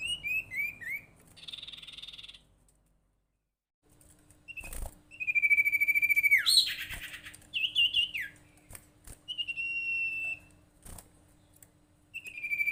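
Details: Lure call of the golden-bellied gerygone, meant to prompt other gerygones or ioras to sing: a run of high falling whistles, then long level whistled notes and one buzzy rasping note, with a pause and sharp clicks between.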